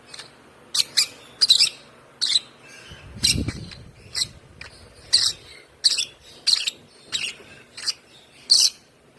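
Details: A one-month-old hand-fed African lovebird chick chirping in a rapid run of shrill, short notes, some in close pairs, with a brief low thump of handling noise partway through.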